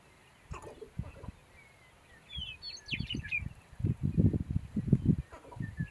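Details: Sharp-tailed grouse; lek display; courtship display on the lek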